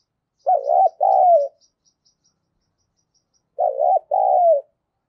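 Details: Decoy spotted dove cooing to provoke and lure wild doves: two clean two-part coos about three seconds apart, each a wavering low note followed by a longer, gently falling note, with a silent background.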